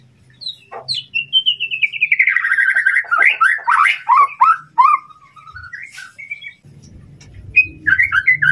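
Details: White-rumped shama singing to provoke an opponent: a long descending series of rapid chirps flows into varied looping whistles and slurs, then scattered short notes, with low humming noise in the background.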